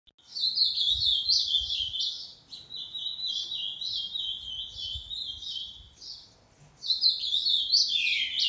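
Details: Green-winged saltator, locally called trinca-ferro or pixarro, singing in the boca mole style on a Tuesday, 29 December: a continuous high, rapid warbled stream of slurred notes with short dips in loudness and brief pauses.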